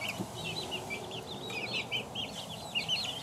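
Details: Two-week-old chicken chicks chirp in clear, high, curving peeps, several birds calling in quick succession over a low hum.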